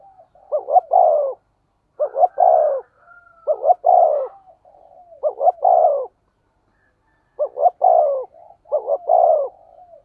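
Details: Spotted dove, 'thổ sấm' voice style, used as a lure for wild doves. Steady phrases about every one and a half seconds. Each has two quick notes then a longer descending coo, with faint tonal background.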